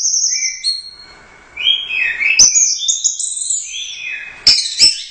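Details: Orange-headed thrush, a first-place Royal Cup competition bird singing in gacor teler doyong style: long high whistles, then a tumbling run of varied sliding notes with sharp clicks.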